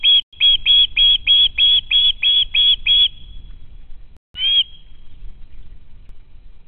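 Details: Young ospreys near the home nest begging food from their parents, heard via a nest camera stream: around ten rapid, piercing whistled screams, a short break, then one more scream.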